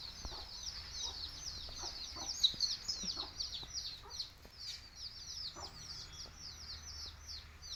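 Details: Baby chicks of a Tamil country chicken flock (nattukozhi) chirping: a dense, continuous stream of high, thin, downward-slurred peeps overlapping constantly, with a few faint lower clucks underneath.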